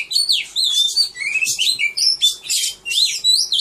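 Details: Contest-caged Oriental magpie-robin, recorded 3 April 2015, sings short phrases of bright upslurred whistles mixed with scratchy buzzes, phrases coming roughly every half second.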